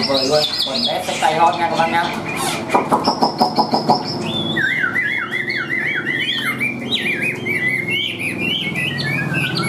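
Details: Tame caged Chinese hwamei: rattling and clattering noise at first, then a repeated series of short zigzag whistled phrases carrying steadily to the end.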